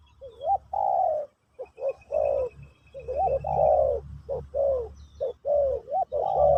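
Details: Spotted dove in Pesom or Kacuk song style, played as a teaching session for a new bird: mellow low coos, some rising then falling, given in quick uneven phrases with short gaps, and a faint low hum beneath.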